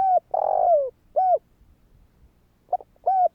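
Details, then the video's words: Spotted dove calling to set off other doves, short coo, a long buzzy descending coo and further clipped coos in an uneven sequence, clear and close with little background. "Chim cu gáy Thúc kích bổi , Tiếng cu gáy Thúc hay ,tiếng chim cu gáy kích bổi"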